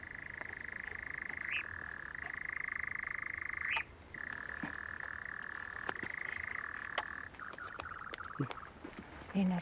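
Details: After sunset around 10:15 pm on De Lemelerberg heathland, a European nightjar foraging for moths over open ground churrs: a long, dry, fluctuating mechanical trill, sputtering like a stalling engine and breaking once near four seconds, over faint hiss and clicks.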